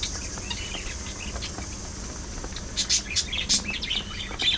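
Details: Pet parakeets in lively social chatter: quiet twittering builds into loud, harsh chirp bursts near the end, rapid and irregular, over steady background hiss.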